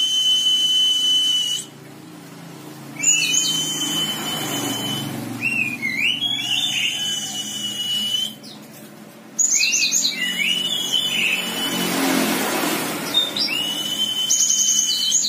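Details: Java sparrow singing: bursts of quick, twisting whistled chirps that loop up and down, separated by two brief silences, over a constant high, thin ringing tone and faint room hum.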